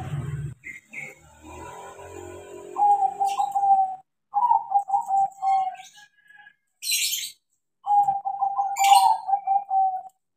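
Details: Trained crossbred zebra dove singing several phrases of quick trilled coos that end on a drawn-out note. Faint rustling and a low thump come first, and sharp hissing bursts are heard in between.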